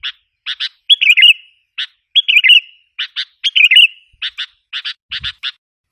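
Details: Lure call of a sooty-headed bulbul meant to agitate wild bulbuls: paired short chirps alternate with three slurred, descending fluty phrases, spaced irregularly across a quiet background.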